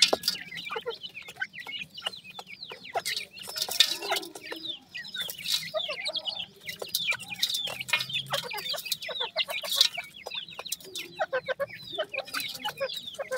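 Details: Baby grey francolins chirping busily, a dense run of sharp, high downslurred peeps repeated rapidly for over ten seconds, mixed with scratchy rustling and clicks.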